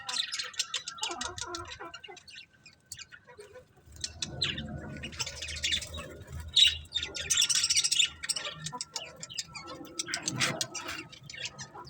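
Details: A flock of budgies keeps up a long, continuous, fizzy twittering of rapid high chirps, louder toward the middle, with a faint steady tone running through it.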